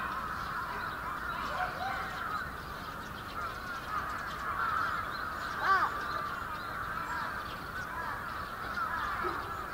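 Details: Wintering bramblings massed in a big flock at Yoyogi Park, Japan, February 2019: a steady wall of overlapping chatter, with one louder sharp call near the middle.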